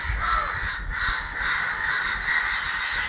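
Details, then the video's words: A flock of crows in Kerala, recorded December 9, 2012, producing loud, hoarse caws layered into a continuous noisy chorus, with a low rumble of background noise underneath. "Crows making horrible sounds"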